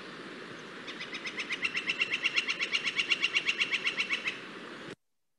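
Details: Flicker, a woodpecker of Santa Clara County parks, heard a second time: a rolling rattle of quick, evenly spaced sharp notes, about four each second, building in strength and lasting some three and a half seconds.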